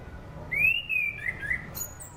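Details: Orange-banded thrush song, used as a lure for training other cage birds: a single clear whistled phrase, rising then gently falling and wavering in pitch, broken into three or four linked notes. Faint low hum beneath.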